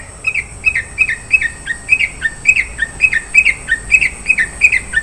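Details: Long-tailed shrike singing rich 'isian' fill-in material: a steady run of paired, slurred chirps, each dropping in pitch, repeated about three times a second over a faint constant high hiss.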